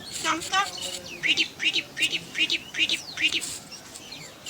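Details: Talking jungle myna (salik pakhi) at home producing a fast run of sharp, down-slurred chirps, about eight in quick succession after a few throaty opening notes, with a faint outdoor background.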